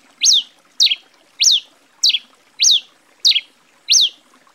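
Grey Pileated Finch singing a steady string of sharp, high, slurred notes, seven in under five seconds, each rising then dropping, over a quiet background.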